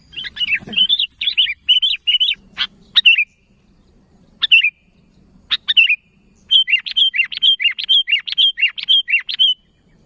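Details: Sooty-headed bulbul calling to its kind, pouring out fast bubbly series of looping chirps in bursts, interrupted by sharp clicks and short single phrases, then a long rapid rollicking run at the end.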